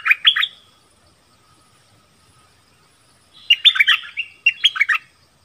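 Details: Decoy dok taeng bird calling a mate in the forest. A brief two-note whistle opens, then after a long quiet gap comes a fuller run of rapid, bubbling whistled notes in two bursts.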